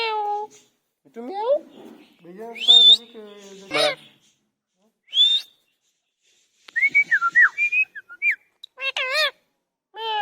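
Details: Pet parrot mixing warbled speech-like phrases and a buzzy, droning passage with a run of short sliding whistles, then more wavering syllables.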